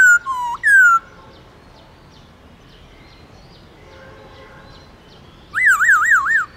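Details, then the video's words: Wild-style song of a black-throated laughingthrush, played to encourage caged birds: a short burst of falling and rising whistles, then a quiet pause, then a rapid wavering whistled trill at the end. "Khướu Hót giọng rừng"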